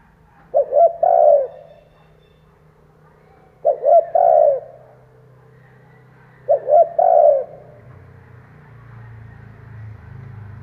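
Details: Spotted dove used as a lure bird, cooing to draw in wild doves; three soft phrases, each two short coos and a longer one, spaced about three seconds apart, faint low hum after.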